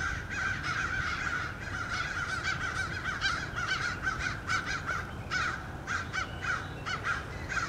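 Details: Many American crows mobbing a male bald eagle at his nest in Norfolk on 30 March 2016, cawing harshly and continuously, overlapping caws from several birds in rapid succession with steady low background rumble.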